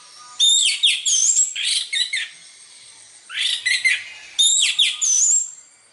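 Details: Indonesian orange-headed thrush giving its melodious song in three separated bursts, each a tumble of high whistles, down-slurred notes and scratchy trills, with short silent gaps between phrases.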